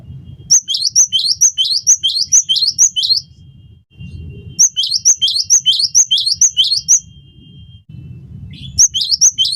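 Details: Cinereous tit (gelatik batu) in full song for training other songbirds and luring them to sing: rapid repeated two-note phrases, high then lower, in three bursts separated by short pauses, with a faint steady tone and low hum.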